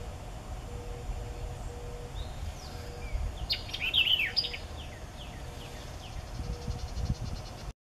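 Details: White-eyed Vireo at Mason Farm Preserve, Chapel Hill, North Carolina, on 3 May 2014: a quick, emphatic burst of sharp, slurred notes midway, over a steady low rumble and a faint high insect buzz.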